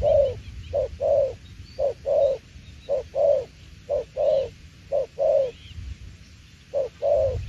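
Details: Spotted dove cooing in the đồng tiểu liên style, a run of soft hollow paired notes, each a clipped short hoot then a fuller longer one, repeating roughly every second over low rumbling background noise.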